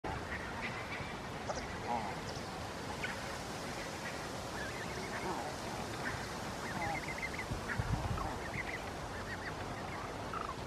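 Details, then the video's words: Barnacle geese grazing on a lawn in Helsinki, Finland, in September 2022, giving soft, high-pitched conversational calls, short yelping notes scattered and in quick runs over steady broadband background noise. "Barnacle Geese grazing and vocalizing"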